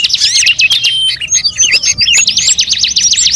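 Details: Bird lure sound blending calls of many species: dense, high chirps and rapid trilled runs, some sliding whistles, then a fast repeated zigzag trill over the last second and a half.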